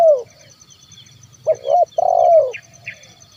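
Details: Spotted dove (terkukur) calling in 'kuk 1' style to attract and provoke wild birds: a falling coo tail, then a phrase of two short coos and a long sliding coo, with faint high chirps behind.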